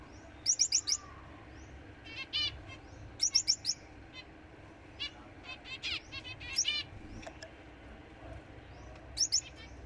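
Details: Finch song in short bursts of high, clipped chirps and rapid notes, repeated about every two to three seconds, with softer twitters between the bursts over a low background hum.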